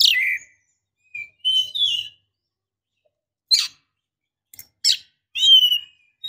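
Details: Female Oriental magpie-robin calling to a male. Sparse, short whistles and sharp descending notes separated by gaps, ending with a sliding whistle.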